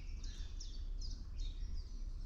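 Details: Common chiffchaff singing a thin, high chiff-chaff series, about four even notes over low wind rumble, early on a frosty, clear March morning around sunrise, among the first chiffchaffs newly arrived in spring; wood pigeon heard just before.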